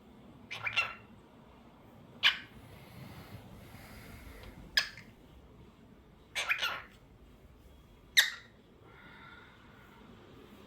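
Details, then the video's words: Pet cockatiel making sharp, brief chirps spaced about two seconds apart, each a quick scratchy squeak, in a quiet room with faint background hiss. "Adorable Cockatiel Crazy Bird 🐦 Cute Singing Sounds"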